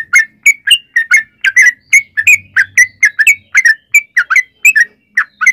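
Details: Lure recording of a sooty-headed bulbul in lively 'gacor' song: rapid, rich whistled notes that slur up and down, tumbling out in close pairs and triplets with hardly a pause.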